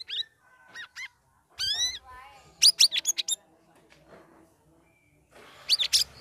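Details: Sooty-headed bulbul kept in an ombyokan group-training setting, in its third week, singing in the ngeriwik ngeplong style. Short whistled chirps and rising, stacked bubbly notes come in clusters, with a quick burst of sharp notes mid-clip, separated by brief pauses.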